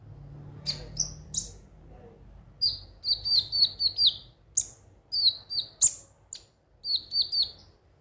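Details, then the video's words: Konin (ruby-cheeked sunbird) singing, a recording meant to stimulate birds to sing: rapid clusters of thin, high twittering notes with brief downslurred whistles, broken by short pauses; faint low hum behind. "pancingan suara burung KONIN agar rajin bunyi tiap hari"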